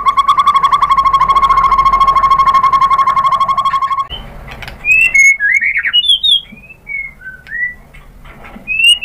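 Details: White-rumped shama lure song meant to set other shamas singing: a steady, rapid rattling trill for about four seconds, then clear whistled notes rising and falling in short separated phrases.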